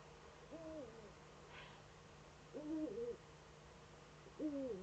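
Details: Female Eurasian eagle-owl courting in the nest niche, caught by a nest webcam in northern Rhineland-Palatinate, Germany, on 10 May 2013: three drawn-out, rising-then-falling harmonic calls spaced about two seconds apart over a steady low hum.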